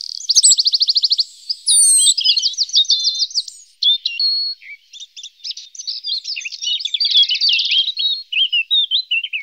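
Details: Lesser spotted woodpecker feeding its young. A fast, even ticking trill is followed by busy, jumbled high chirps and squeaks, and a second ringing trill comes later.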